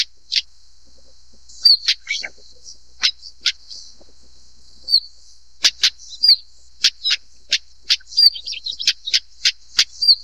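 A Stonechat gives hard, pebble-tapping ticks, roughly one a second, mixed with thin high whistles, over a steady faint high hiss.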